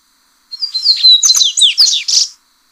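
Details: Single song phrase from a yellow-bellied seedeater, offered as original song for training captive birds: lively whistled notes and quick descending chips that close with a harsh buzzy flourish.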